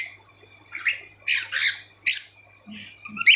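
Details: Harsh, noisy squawks from pet cockatiels in quick irregular bursts, ending in a rising chirp, with brief low murmurs in the room.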